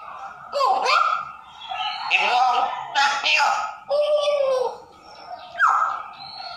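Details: African grey parrot talking like a person: a string of word-like syllables with swooping, nasal, harmonic tones and brief pauses between phrases.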